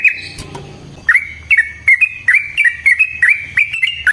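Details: Sooty-headed bulbul, a caged bird used as a lure and master song for other bulbuls, giving a long rolling song of bubbly phrases near two kilohertz, notes repeated about three per second after a short noisy opening.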